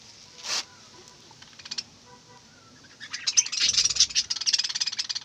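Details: Morning budgerigar song: a few soft scattered chirps and clicks, then a loud, continuous stream of rapid, high, buzzy twittering notes that fills the second half.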